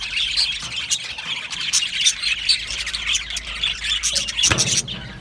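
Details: Colony of Australian budgies in an aviary, squawking and chirping in a high, rasping chatter. A sharp sudden clatter comes near the end, after which the chorus quietens.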